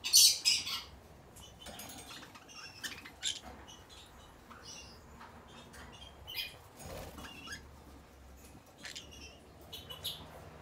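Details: A pair of green-cheeked conures give short, harsh squawks and scratchy chatter in irregular bursts, loudest at the start, over a faint low hum.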